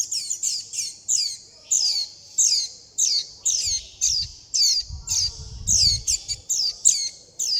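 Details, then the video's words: Young warbling white-eyes calling for their mother and flock and begging for food: rapid high, thin descending chirps repeated about every half second, forming a steady insistent chatter, with a faint low rumble partway through. "Tiếng chim vành khuyên non gọi mẹ - gọi bầy - đòi ăn"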